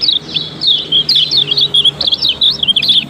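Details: Kept yellow-bellied prinia, Lombok type, used as a lure to draw song from other birds; quick high chirped phrases with down-slurred notes in short bursts, nearly unbroken, over faint low background hum.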